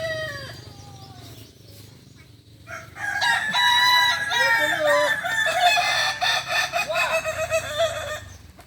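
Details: Kukuak balenggek roosters at a final practice singing contest in Ampang Kualo, Kota Solok, Sunday 8 September 2024; after a quiet start, several loud, ringing crows overlap from about three seconds on, with layered harmonics and stuttering breaks.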